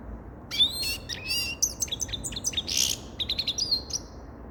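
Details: Rapid high song of a grey-crowned goldfinch: rising slurs, quick repeated chirps and a brief harsh buzzy note within a lively, tinkling sequence.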